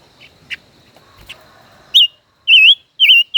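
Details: Song duel by a caged five-colored bird, a decoy kept over a year; after soft scattered chirps and clicks, loud rolling whistled notes burst out in a rapid series of four.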